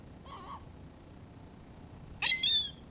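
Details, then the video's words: Seagulls being fed: a short, faint, buzzy call followed by a loud, harsh, harmonic squeal with a slightly falling pitch, over low background rumble. "Feeding the seagulls"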